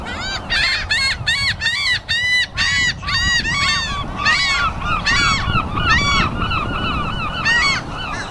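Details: Flock of seagulls on an afternoon giving harsh, nasal, down-slurred cries that overlap almost continuously, over a steady low rumble of wind or surf.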